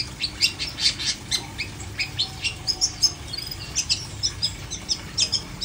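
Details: Long-tailed shrike kept uncovered in a cage uttering a steady run of short, sharp, harsh chip notes, roughly three per second, fairly regular throughout, over faint low hum.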